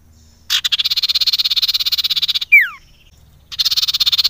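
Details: Wild female common iora call used as a lure for other ioras: a long, rapid, rattling buzzy trill of even pulses, one swooping falling whistle, a brief silence, then the trill returns.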